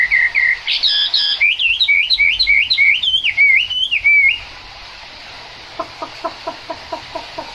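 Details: Chinese hwamei sings in the rain. Clear whistled notes climb and fall in a repeated wavy pattern for about four seconds, then stop, leaving a steady hiss and a few soft clicking notes.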